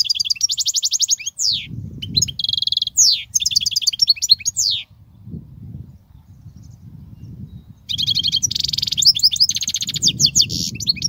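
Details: European goldfinch song for teaching young birds: rapid high trills, sweeping slurred notes and buzzy rattles, a gap of about three seconds with low background rumble, then the twittering resumes densely.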